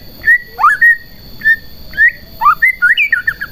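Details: White-rumped shama in full song, meant to provoke other shamas into singing: clear whistled phrases, some rising steeply and others level, given in short bursts with pauses between them, plus a steady high electronic tone in the background.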